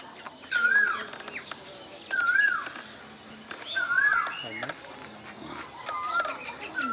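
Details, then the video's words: Asian koel in spring, Bangladesh, repeating a clear upswept whistle that dips at the end, four times over several seconds, amid clicks, knocks and faint chirping of other birds. "বসন্তের কোকিল, কোকিলের ডাক"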